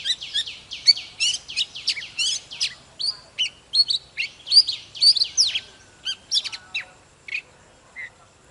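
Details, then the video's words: Fired-up morning song of an old wild-caught Oriental magpie-robin, singing and displaying. Dense run of rapid, bright, varied whistled notes and chips, repeated several times a second, then tapering to scattered softer notes near the end. "Chòe than Già rừng hót múa CỰC ĐỈNH || Chòe than Căng Lửa || Kích chòe than HÓT SÁNG"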